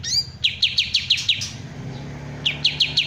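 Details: Kapas tembak bulbul uttering a quick string of clipped, falling chips, then a short gap before another run of the same notes. A faint low hum runs beneath.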